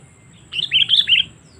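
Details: Bright, rollicking phrase of five or six quick liquid chirps from a sooty-headed bulbul, a lure call meant to draw in wild birds, delivered in under a second against a quiet background.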